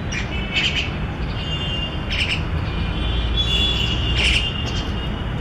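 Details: An injured Indian (common) myna, unable to fly with a badly hurt leg, calls for help from a home lawn, giving harsh, grating squawks roughly every two seconds over a steady low rumble of traffic.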